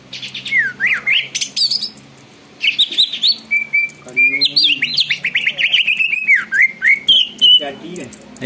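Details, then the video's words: Greater green leafbird in full song that sets other birds singing and getting agitated: a varied run of sharp whistled notes, sweeping up and down, quick trills and slurred phrases with a short pause, faint low voices beneath. "cucak ijo gacor bikin burung lain ikut BUNYI dan EMOSI"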